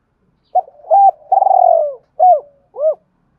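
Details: Spotted dove; fighting coo; challenging and provoking rival males to fight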